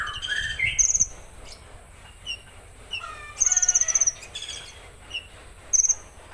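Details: Konin giving its 'tembakan kasar' rough burst song: high, dry buzzy rattles in short bursts, mixed with thin rising and falling whistles and sharp chirps. Faint low rumble underneath.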